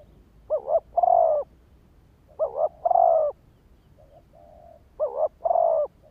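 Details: Spotted dove used as a decoy to draw in wild males, giving three two-part coo phrases, a short double note then a longer sustained one, with a soft muted coo in a gap.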